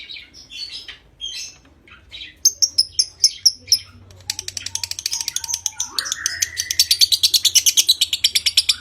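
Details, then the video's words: Lovebird ngekek trill meant to stimulate breeding: scattered squeaky chirps and a few sharp repeated notes, then a building rapid harsh chatter with a rising whine during the second half. "Suara Masteran Burung LOVEBIRD Konslet Ngekek PANJANG Merangsang Birahi"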